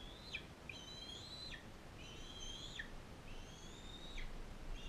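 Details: A non-releasable adult female bald eagle fosters a bald eaglet from Powell River while in care. Three long, high, level whistles each end in an abrupt downward drop, repeated about every one and a half seconds above faint low rumble.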